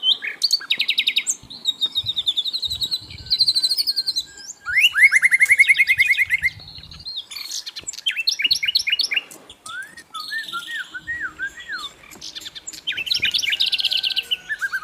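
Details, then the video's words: Asian brown flycatcher (sikatan londo) singing energetically in a training recording: rapid varied high phrases, including fast repeated notes, descending slurred trills and wavering whistles, with abrupt shifts between phrase types. "MASTERAN BURUNG SIKATAN LONDO GACOR"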